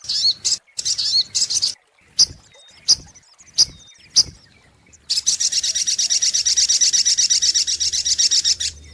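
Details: Sunbird lure song: opens with short bursts of high chirping and sharp separate ticks, then settles into a long, steady, rapid high trill of buzzy pulses, with a low hum in the background.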